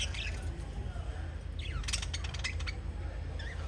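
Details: Five lovebirds, members of the parrot family, give a few soft squeaks, then a burst of rapid, sharp chirps in the middle, with a steady low hum underneath.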